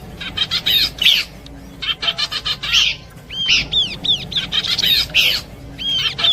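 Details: Horsfield's babbler song combination used for luring birds: bursts of rapid buzzy chattering notes alternate with clear arched whistles, repeated in short phrases with brief pauses.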